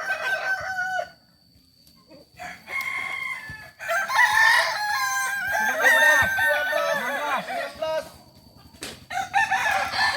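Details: Kokok Balenggek cocks at a practice gathering in Solok. A crow opens the clip, then a short quiet spell. Loud layered crows from several birds follow, with bursts of staccato stepped notes.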